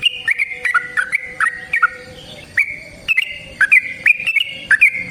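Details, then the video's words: A kept yellow-vented bulbul's long fighting song, meant to stir another bird: bubbly whistled phrases, a brief lull near the middle, then more rapid chattering warbles. "Suara Burung TRUCUKAN gacor TARUNG ROPEL PANJANG pancingan trucukan agar JADI trucuk gacor EMOSI"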